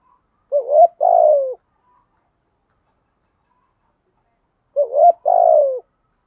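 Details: Caged spotted dove used as a decoy to train a new bird, singing in the thổ voice style: two mellow coo phrases roughly four seconds apart, each a quick upward note then a longer falling coo.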